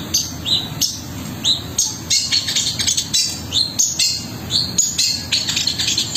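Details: Long-tailed shrike singing busily with harsh rolled phrases and 'shot'-like bursts, quick repeated upsweeping whistles and scratchy chatter in rapid succession, accompanied by a constant low-pitched hum.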